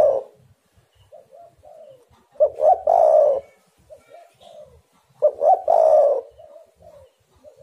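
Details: Spotted dove coo used as a lure call to draw other doves and make them call: two loud phrases of short rising notes ending in a long throaty coo, with softer quiet coos between them, in a small room.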